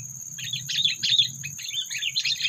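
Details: Sooty-headed bulbul call played to lure birds into a trap and stir up predators; repeated bubbly, chattering high notes in short clusters across two seconds, with a low hum and a constant high-pitched whine behind.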